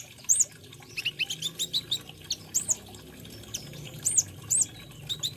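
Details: Olive-backed sunbird (kolibri ninja) singing a song full of fill-in phrases: a loud high chirp, then a rapid series of softer ticking notes, then more scattered piercing chirps, with low rumbling background noise.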